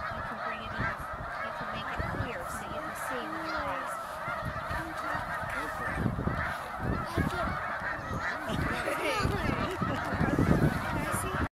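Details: Vast snow goose roost on a 300-acre lake at sunset, Pennsylvania, USA: a steady roar of countless honking birds, with low rumbling thumps and some nearer calls in the mix.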